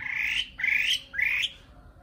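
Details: Three loud, upward-slurring whistled notes from a nightingale, each lasting about half a second and separated by brief gaps.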